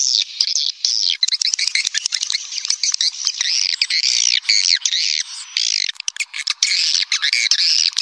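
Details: Swiftlet calling sound played as a lure: dense, continuous high twittering and chattering, with overlapping buzzy chirps and sharp clicks running throughout and no pause.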